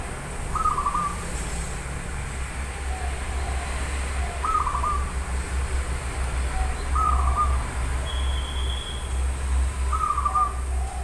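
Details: Local wild zebra dove in Java singing: short, flat, slightly quavering coo phrases repeated about every three seconds, four in all, over a steady low rumble and a faint high whistle.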